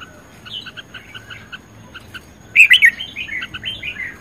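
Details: Red-whiskered bulbul singing in a competitive singing context: a run of short chirping notes roughly every quarter second, then from mid-clip a louder burst of bright warbled, fluty phrases; faint speech nearby.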